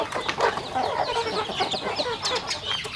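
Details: While eating, home-kept rural chickens make quick, mid-pitched clucks mixed with brief whistled peeps, densely overlapping across the short stretch.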